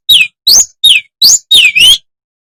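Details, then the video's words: Madura long-tailed shrike in loud song meant to provoke other shrikes. Five loud, clear whistled notes, each slurring downward, given in quick succession with short gaps. The last note is doubled and dips, then rises. "Kicau CENDET MADURA SUPER GACOR"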